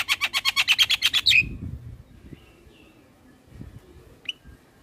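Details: Black-winged starling heard as training song for young birds: a rapid stuttering run of about a dozen harsh notes ending in a whistle, then near quiet with faint distant calls and one short chirp.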